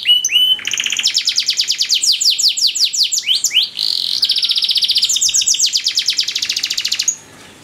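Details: Master training song for canaries with ornate phrasing, long-duration: a fast, continuous rattling trill of steeply sweeping notes, a brief pause, then another long sustained high trill ending abruptly.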